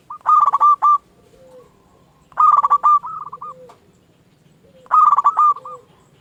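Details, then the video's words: Zebra dove of local stock, a lure and training bird for rousing quiet doves: three rhythmic phrases of quick, resonant cooing notes, each ending with a soft, lower murmured note. "Perkutut lokal gacor RAJA PIKAT ahlinya bikin semua burung perkutut gacor pada nyaut"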